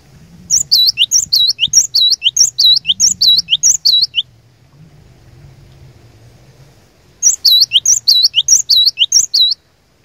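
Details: Lure song of a cinereous tit (glatik batu) used to draw out rival birds: two bursts of rapid, high, ringing two-syllable phrases, separated by a pause of about three seconds with faint low background noise.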